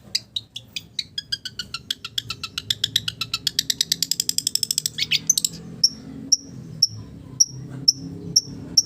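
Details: Long-tailed shrike song with village-bird mimicry. A fast, buzzy trill speeds up over five seconds, then breaks into single high whistled pips spaced about half a second apart.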